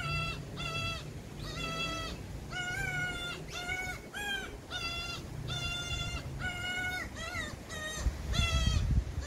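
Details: Parasitic cuckoo chick screaming for feeding from a magpie foster parent: a steady series of raspy, buzzy shrieks, roughly one every half to one second, some quavering, over low background rumble.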